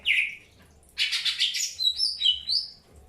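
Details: Greater green leafbird in early pairing: a single whistled note, a pause, then a harsh raspy burst followed by high sliding whistles.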